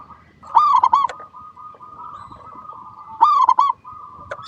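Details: Local zebra dove (perkutut) recorded as a lure to make other doves sing; two loud bubbling coo bursts roughly 2.7 seconds apart, linked by a continuous soft, even cooing trill.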